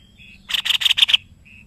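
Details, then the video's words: White-necked babbler in Indonesian keeping, used as a tutor bird, giving a quick series of six harsh, chattering notes over about 0.7 seconds, framed by faint high piping tones. "BURUNG MASTERAN GACOR SEPERTI INI.JENIS TEPUS LEHER PUTIH"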